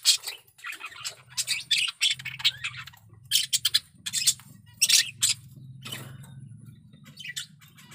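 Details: Male budgerigar in strong breeding condition giving chattering warble: bursts of scratchy, squeaky notes with short buzzy squawks, in irregular clusters separated by brief pauses, over a steady low mechanical hum.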